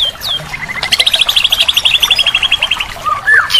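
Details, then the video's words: Murai batu, or white-rumped shama, masteran for a silent bird, rich in fill-in phrases: a few clear slurred whistles, then a long fast trill of high chips, closing with looping whistled notes. "Masteran Terapi murai batu mogok bunyi"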